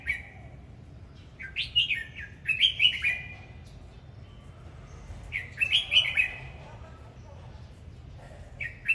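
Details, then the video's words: Singing red-whiskered bulbul delivering repeated bright whistled phrases, each a tumbling run of up-and-down slurred notes, about every three to four seconds, ending with the start of another phrase; steady low background hum. "Chào mào hót múa"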